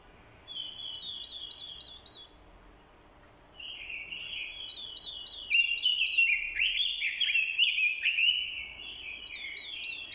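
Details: Decoy orange-headed thrush pouring out fighting song, a female's call added to trigger the male. Opens with a short series of repeated whistled notes, pauses, then swells into loud tumbling warbles and sharp chirps.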